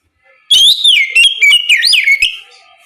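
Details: Ngeplong song of an Oriental magpie-robin at morning, played to get other birds to answer; two seconds of loud, clear whistles sliding up and down, broken into rapid notes, then fading.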